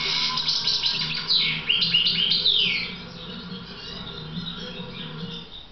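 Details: Schooled goldfinch, Carduelis carduelis balcanica, giving a quick burst of tumbling twitters and descending chirps, then softer trailing notes over a steady low hum.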